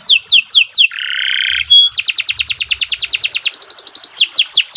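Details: Canary in full, continuous song: quick falling notes, a buzzy rasp, a pure whistle, then a long rapid trill of even notes, a thin chattering phrase and more descending sweeps.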